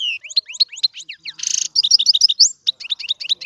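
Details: Fast, sweet twittering from a European goldfinch, sliding chirps strung together, broken by one brief harsh hiss, then more tinkling, rapid notes.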